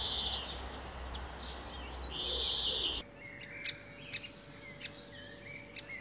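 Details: A great spotted woodpecker (Dendrocopos major) with its young gives a begging call: continuous high, harsh chattering, then after an abrupt cut a few sharp, scattered 'kik' notes over faint hiss.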